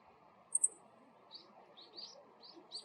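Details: A male Meadow Bunting gives its call note: a quick pair of very high, sharp chits, then several softer, lower chips, over a faint background hum.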